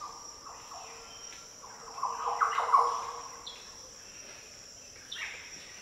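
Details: Green oriole in the Daintree coastal rainforest, Australia, delivering one strong, deep, gurgling fluty phrase mid-clip, with softer notes before and after and a steady high-pitched insect chorus throughout.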